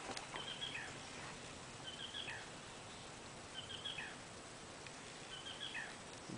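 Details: Black Rail calling in its habitat along the Bill Williams River, Arizona, USA: a faint high three-note call repeated about every two seconds against a steady hiss.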